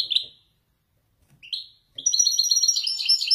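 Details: Caged male goldfinch of Wajdani type in Morocco, trained in Marrakech descents: two short, slurred, downward notes separated by pauses, then a sustained rush of fast, tinkling, high twitters filling the last second and a half.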